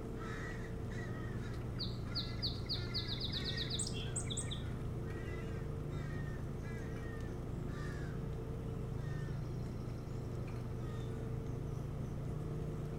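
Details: Nesting osprey on Hog Island, Maine, recorded about 3 a.m. on July 25, 2018: a rapid, accelerating string of high whistled cheeps ending in shrill squeaks, with softer repeated chirps around it and a continuous low hum.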